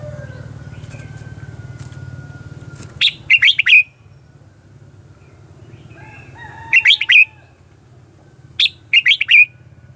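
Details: Lure song of a Red-whiskered bulbul, the 'ché chéc' fighting style used to train birds and attract wild ones: three short rippling phrases of clipped, bouncy notes, separated by quiet gaps with a low hum.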